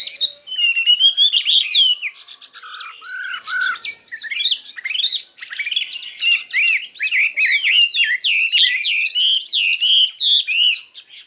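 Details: Chinese hwamei singing in a contest with many voices, fiery and intense: a continuous, rich stream of fast whistled phrases, rising and falling slurs packed closely over about eleven seconds, with scarcely a break.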